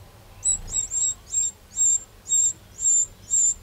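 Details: Eurasian wren in a Châtillonnais garden, Burgundy, France, 2 June 2023, producing steady, loud, hard ticking call notes, about eight in under four seconds, evenly spaced.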